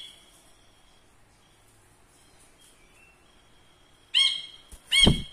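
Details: Ashy bulbul used as a tutor bird, performing for the camera; a thin, steady high whistle drawn out for several seconds, then two loud buzzy notes, the second with a dull low thump.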